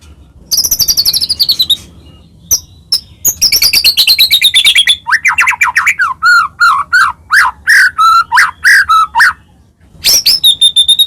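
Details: White-rumped shama, Medan type, singing hard with varied fill-in phrases to rouse other shamas: a high descending trill, scattered clicks, then a steady series of looping whistled notes and a final high trill.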